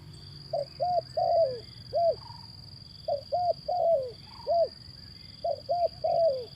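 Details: Male zebra dove in Indonesia, call used to coax reluctant birds into singing; three phrases of quick arched coos, each ending in a falling drawn-out note, about every two and a half seconds, over a steady high whine.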